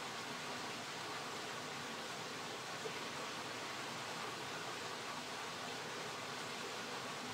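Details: Steady broadband rushing noise, like flowing water, fills the rural night scene with no clear animal calls.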